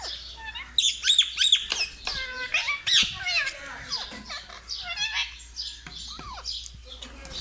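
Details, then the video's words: Pet Indian ringneck parakeet chattering continuously: dense, high, rapid chirps and squeaky speech-like warbles run without pause, varied and irregular, with occasional lower notes and brief gaps. "Talking parrot sound completion 🦜 indian Ringneck parrot Natural sound 🦜 parrot chirping voice"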